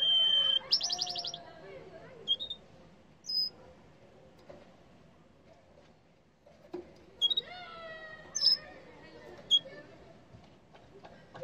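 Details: Yellow canary singing indoors: a fast buzzy trill and bright whistled notes open the phrase, then a quiet pause before more sharp chirps and clear whistles, with faint room hum beneath.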